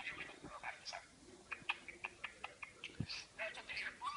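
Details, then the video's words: Pet parakeet talking indoors: rapid run of short, clicky chirps and warbled syllables, bright and scratchy, packed densely over about four seconds with little pause. "Periquito Maca hablando."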